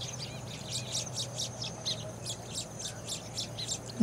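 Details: Hungry Baya weaver nestlings in a new colony call from inside the nest as the parent arrives with worms: thin, high chirps repeated about four times a second over a low steady hum, ending in a brief louder knock.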